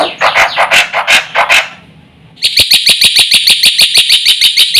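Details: Black-winged myna (jalak putih) singing to provoke other mynas: harsh chattering squawks for under two seconds, a short pause, then a fast even series of sharp metallic notes, about three per second.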